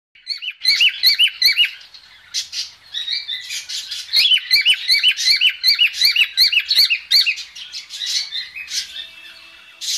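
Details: Female cockatiel giving a mating call: a dense, steady stream of high chirps and short upslurred whistled notes, roughly two to three per second, layered and continuous through most of the recording, easing off near the end.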